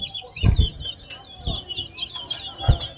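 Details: Towa towa competing in a singing match at Lamaha bird ground: an unbroken stream of high, quick warbling notes, overlaid by heavy low thumps at intervals.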